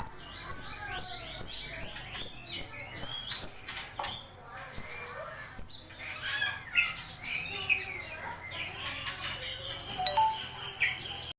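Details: Mastering song of a starling (jalak), kept to train other birds: a string of short, high, sharp notes repeated quickly, then a looser jumble of chirps, trills and buzzy phrases that fades toward the end.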